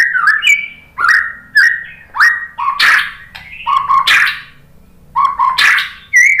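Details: White-rumped shama singing, used as a lure for other birds to reply: loud clear whistled phrases, each opening with a sharp click, sliding up or down, delivered in bursts about once a second with short pauses.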